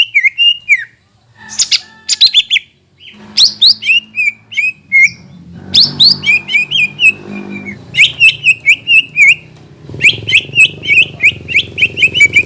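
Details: Greater green leafbird song, used as a lure after moulting: quick series of slurred, high whistles in several bursts, over a steady low rumble of background noise.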